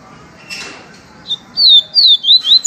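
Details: Yellow-bellied Seedeater giving a pure viviti-type song: a quick run of clear, high, slurred whistles, each falling or swooping, with a soft rustle before it.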